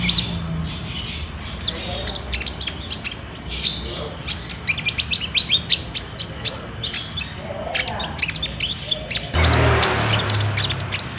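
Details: Olive-backed sunbird singing a fast trilling song, used as a lure to make caged birds sing, recorded on a Samsung J5: dense streams of very high, thin tweets and rapid chips, with a low rumble and a sudden noisy section near the end.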